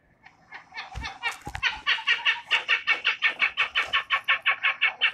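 Pied-billed Grebe giving a fast chatter: a rapid, even series of harsh, nasal notes, about three per second, building after a few scattered starting notes.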